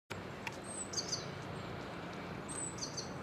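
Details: Japanese tit singing: two faint, very high, thin phrases of a slurred whistle followed by paired sharp notes, about two seconds apart, against steady background hiss and a brief rustle of dry leaves underfoot.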